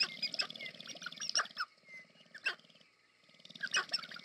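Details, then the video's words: Displaying sharp-tailed grouse courting at American Prairie Reserve in Montana, USA: loud cackling clucks in spurts over a throbbing low rattle, which drops out briefly before resuming with more clucks. "Sharp-tailed Grouse Courtship Display"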